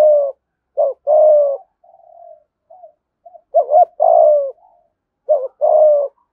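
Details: Spotted dove cooing in the 'giọng thổ' gù thúc style, used as a lure for wild doves: a repeated phrase of a short note followed by a longer throaty coo, with faint soft coos between phrases. Quiet background.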